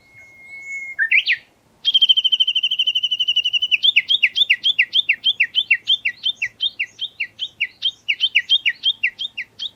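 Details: Wild Japanese bush warbler giving its valley-crossing call (tani-watari): a steady high whistle, a quick upward flourish, a long level trilled note, then a fast run of sharp descending two-part notes repeated many times without pause.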